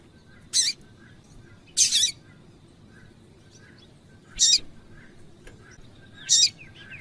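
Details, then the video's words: Calling female Double-collared seedeater used to warm up cold males: brief high-pitched chip notes, four clear ones at uneven intervals, the second slightly longer and doubled, with soft faint notes and low steady noise between. "FÊMEA DE COLEIRO CHAMANDO PARA ESQUENTAR COLEIRO TUI TUI FRIO"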